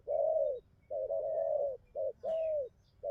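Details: Newly wild-caught spotted dove cooing well: long, smooth, slightly falling coos linked with short clipped notes in a quick run, with a faint higher bird note in the background.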